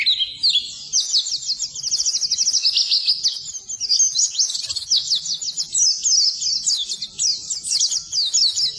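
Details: Oriental white-eye in full song for birds reluctant to trill: a rapid series of high, evenly pulsed chips merging into sweet rolling warbles, sustained throughout.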